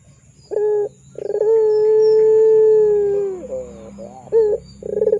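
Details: Barbary dove of the pelung kind, singing freely for training young doves: a short coo, then pulses leading into a long sustained low note that drops and wavers, followed by another short coo and a new pulsed start.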